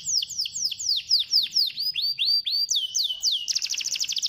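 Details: Canary song used to stimulate a lazy canary to sing: fast series of high, downward-sweeping whistled notes, shifting pitch, ending in a rapid buzzy trill.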